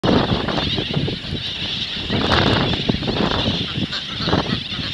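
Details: Brown boobies at a nesting colony on Ashmore Reef, Western Australia, give harsh, goose-like honks in short bursts over a steady hiss of wind and surf.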